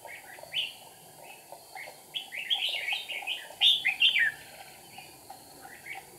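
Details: Decoy red-whiskered bulbul, 8 April 2019, flicking wings and tail at the trap; scattered chirps building to a dense loud warbled phrase, then quieter notes.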